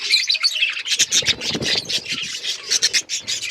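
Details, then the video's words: Budgerigars chirping while breeding and mating. A few clear high notes open into a fast, pulsing jumble of chirps, squeaks and harsh squawks from several birds. "Budgies chirping sounds budgies breeding"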